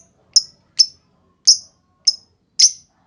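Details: Lovebird calls used to lure other lovebirds: five separate sharp, high chip notes about half a second apart in otherwise silent surroundings.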